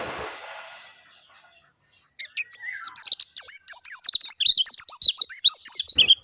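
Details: After a near-silent start, a pleci dakun, the oriental white-eye, breaks into fast, high, warbling twitters. A brief lower slurred note comes first, and the notes build to a dense phrase lasting about four seconds.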